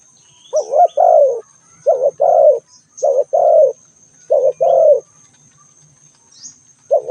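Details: Spotted dove giving its cooing call, short phrases of two to three rounded hooting notes repeated in quick succession, clean and close with a thin steady high tone in the background.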